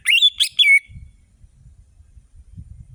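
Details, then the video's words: A lively orange-headed thrush sings, with the recording used to coax lazy birds into song. One quick phrase of three ringing, slurred whistles rises and then falls away. It is followed by low, soft rumbling and faint knocks. "Anis merah gacor‼️ Pancingan anis merah malas bunyi"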